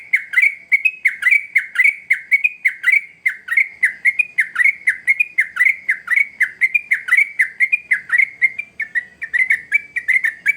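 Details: Sooty-headed bulbul singing vigorously, used as a lure to get young birds singing: a long, steady run of bright chirped notes that dip and rise, delivered in tight, rhythmic phrases almost without pause, loud and clear against a quiet background.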